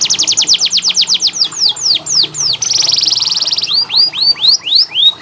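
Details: Canary singing as tutor song for canaries that rarely sing: rapid falling whistled sweeps that gradually slow, a dense buzzy trill in the middle, then evenly spaced rising-and-falling swoops.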